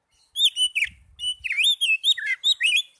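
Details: Young Oriental magpie-robin in a lively flowing phrase of clear high whistles, rising and falling slurs repeated in quick succession, with a faint low rumble early on.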